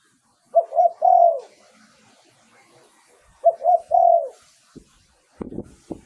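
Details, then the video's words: Spotted dove in Thailand, a lure song for decoying wild doves: two phrases of low, mellow coos, each a few short hoots ending in a longer drawn coo, separated by a pause; faint clicks follow at the end. "เสียงต่อนกเขาใหญ่ เสียงชัด"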